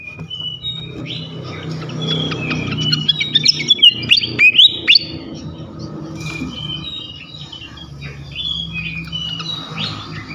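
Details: Flycatcher song meant to provoke rival flycatchers: a brief burst of sharp high chirps and whistles in the middle, with scattered softer notes before and after and a constant low rumble underneath.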